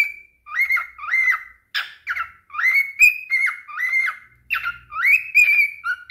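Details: A pet cockatiel whistles a lively string of short, clear phrases that swoop up and down in quick succession.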